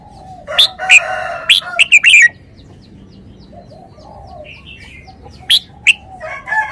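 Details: Red-whiskered bulbul with a burst of loud, quick whistled notes, partly overlapping a harsher, rougher voice. After a pause come two sharp single notes and softer chatter, all over a low hum.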